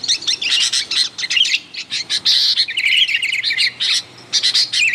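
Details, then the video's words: Sooty-headed bulbuls chatter loudly to attract wild birds of their kind, giving clusters of sharp chirps and fluid rolling whistles, broken into bursts with short silences. "mp3 suara burung kutilang ribut gacor"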